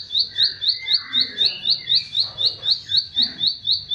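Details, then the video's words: Bar-winged prinia song used as a training recording for cage songbirds: sharp upslurred chirps repeated steadily about four times per second, with softer warbling from other birds in the background. "SUara CIBLEK SAWAH, SI kecil buat Masteran Semua Jenis Burung"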